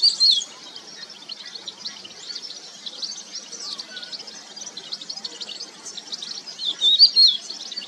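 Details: Song of a crested lark (Galerida cristata): sharp, high whistled notes at the start and again near the end, separated by several seconds of quiet, dense twittering and light outdoor noise.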